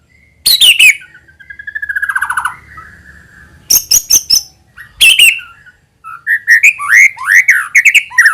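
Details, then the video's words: Lure song of a white-rumped shama, used to trigger other shamas to sing vigorously. Sharp descending notes alternate with a soft, rhythmic trill and high buzzy notes, then a run of rising and falling whistles. "AUTO NYAUT MURAIBATU APAPUN AKAN TERPANCING UNTUK BUNYI GACOR JIKA MENDENGARKAN SUARA PANCINGAN INI"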